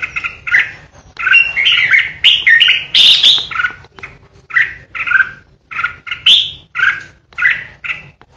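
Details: Red-whiskered bulbul, kept as a decoy, singing ché-style: clear separate fluty notes, about two a second, with a faster bright run near the start.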